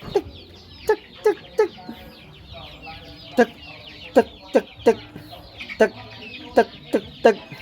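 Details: Hand-raised decoy waterhen calling loudly and clearly when its owner offers a hand, showing no fear: a run of abrupt, short knocking notes, some in quick pairs, separated by irregular pauses.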